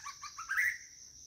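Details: White-rumped shama calling for a mate: four quick short notes followed by a louder, longer rising-and-falling whistled phrase, with a continuous high insect drone behind.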